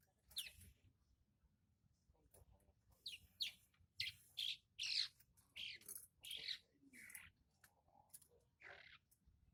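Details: Lively song of a juvenile long-tailed shrike: a rapid, varied series of harsh chirps and squeaky, slurred notes over a low background hum.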